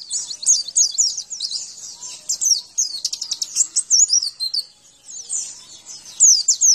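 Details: Javan white-eye training song for caged birds: a dense, high twittering of rapid downslurred and zigzag notes, nearly continuous, with brief dips in the flow.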